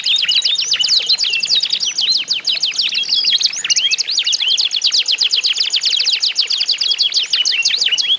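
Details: Domestic canaries of the isian (song-trained) style in a vigorous singing contest, used to prompt other canaries to sing; dense, unbroken song of rapid high trills and downward-slurred notes over eight seconds.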